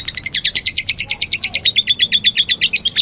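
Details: Lovebird calling in meloloh fashion, a fast stream of loud, scratchy chirps at about eight per second, nearly merging into a trill.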